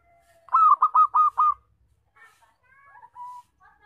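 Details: A loud local zebra dove, good as a lure for trapping, delivers a single phrase of five evenly spaced, throaty coos, followed by soft whistled calls of other birds.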